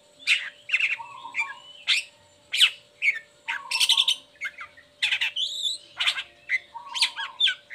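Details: Long-tailed shrike singing busily once its cage cover is opened, meant as a lure for listless or moulting shrikes. It gives a dense run of harsh squawks, chirps, low buzzy trills and a thin high whistle, with a background hum.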